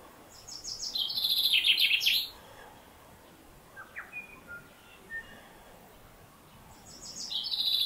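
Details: A male chaffinch in summer in the Maungakotukutuku Valley, New Zealand, gives a bright, two-second cascade of rattling notes, repeated after about five seconds, with a few soft chirps in between.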